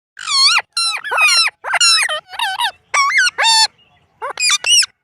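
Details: Indian ringneck parrot saying words such as mitthu and mammi: a run of nasal, harmonic-rich syllables in quick bursts, with bending pitch contours and short gaps between them.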